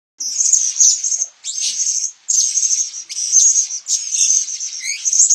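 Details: Blue-crowned hanging parrot in Sabah, Borneo, giving high, thin, buzzy chattering notes in bursts of about a second, separated by short pauses.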